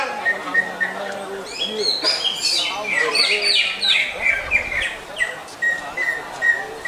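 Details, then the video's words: Greater green leafbird producing quick, repeated whistled chirps and tumbling descending phrases in an uneven rhythm, over low human voices. "Lagu Mewah Cucak Hijau"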